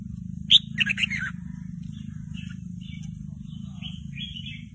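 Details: Young red-whiskered bulbul rehearsing an unfinished song while a lure recording plays; a sharp high note and quick chirpy run early on, then faint warbles over a steady low hum.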